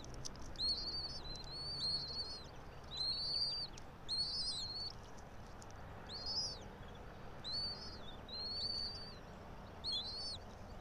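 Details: Bald eagle pair's nest, pine tree in Johnson City, Tennessee, 06:28 on 04.03.2024; rapid series of piercing high squeaky chirps in loose clusters, about fifty a minute, some stacked and doubled, over faint low noise.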